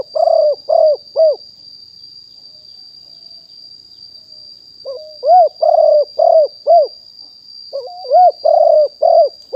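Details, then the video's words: Live 2021 recording of a wild spotted dove used as a lure: repeated low, hollow coo series of four to six notes, a short hitched introductory note before later phrases, with a faint steady high whine behind. "นกเขาใหญ่ป่าเต็ม100% บันทึกสดเสียงต่อนก2564"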